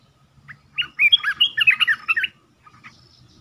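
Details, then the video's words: Caged red-whiskered bulbul giving a lure song: a loud, quick run of liquid, warbling whistled notes lasting about a second and a half, then one or two faint chirps against a quiet, low rumble. "เสียงต่อนกกรงตาแดงEp.4/2 ปิดเกมส์ Suara merbah belukar gacor"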